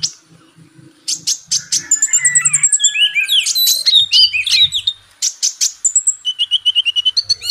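Ruby-cheeked sunbird song: high, thin, fast twittering with sharp chirps, short trills and rising whistles in rapid bursts, over a faint low hum.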